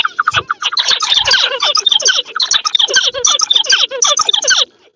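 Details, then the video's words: Pet zebra finches calling together in a dense, continuous chatter of short, nasal, buzzy chirps that overlap rapidly for about four and a half seconds before stopping, with occasional soft low thumps underneath. "Zebra finch bird daily life"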